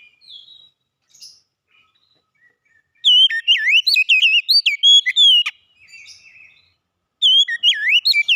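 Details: Oriental magpie-robin, known locally as kacer, starts with faint scattered chirps, then bursts into a strong, fast sequence of twisting whistled notes for over two seconds, pauses, and begins another looping phrase.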